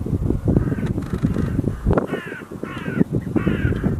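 A hooded crow gives about five loud, hoarse caws, spaced under a second apart, over a low rumbling background.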